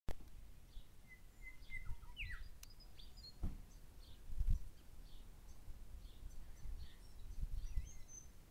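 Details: Grey shrike-thrush pair calling: clear whistled notes and steep downslurred whistles around the first two seconds, then fainter scattered high notes, over steady low wind-like rumble with occasional thumps.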